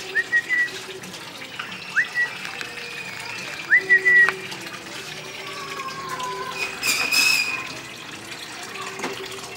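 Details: Tame red-eyed cockatiel giving short, thin, clear whistles that rise and then level off, repeated at irregular intervals of one to two seconds, over a steady background of running water and faint voices.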